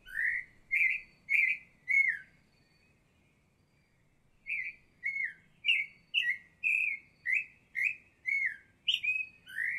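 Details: At La Garita, Alajuela, Costa Rica, a Baltimore oriole gives clear, rich, flutey whistles, some slurring downward, in short spaced phrases with a brief pause midway; no other sounds intrude.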